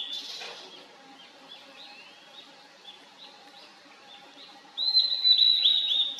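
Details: Blue-and-white flycatcher singing in a valley. Faint, distant high whistles fade in and out over quiet background hiss, then a loud, clear, high whistled phrase with quick warbled turns fills the final second and a half.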